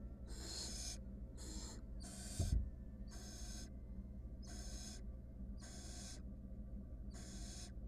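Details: Female barn owl, wild, in a monitored nest box during a fight with her mate or an intruder, repeats harsh hissing screeches about once a second, seven noisy bursts, with a single thump midway.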